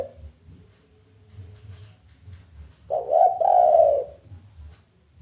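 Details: Luring challenge call of a spotted dove: faint low rumble, then one clear coo phrase of a short note and a longer falling coo, fading back to a quiet hum.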